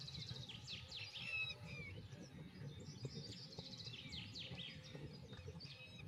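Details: White wagtail giving a busy run of sharp, high chirps and short downward-slurred twittering notes, closely packed and repeated through the clip, over a steady low rumble of background noise.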